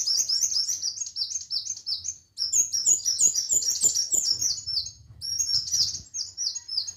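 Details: Sunbird, kolibri wulung or muncang, singing energetically: rapid high, thin chirps and trills repeated in fast bursts, with a short pause after about two seconds, over a faint low hum.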